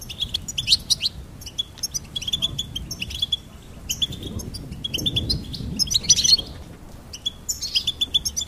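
A goldfinch sings a quick, tinkling twitter of high chirps and short trills in bursts, over a low rumble of background noise.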